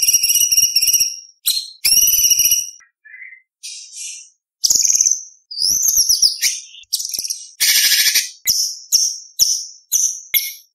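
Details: White-rumped shama delivering a varied, mimicry-rich competition-style song: high harmonic whistles, brief soft notes, then harsh buzzy bursts and sharp chips in quick succession.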